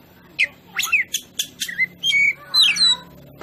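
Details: Oriental magpie-robin song for provoking other birds, with sweeping whistled notes, harsh rasping bursts and a few held tones in quick succession.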